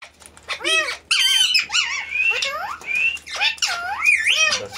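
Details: Pet parrot talking and dancing indoors, giving a run of harsh, harmonic squawks and bending, speech-like syllables in several bursts, some rising and falling sharply, with a faint low hum underneath.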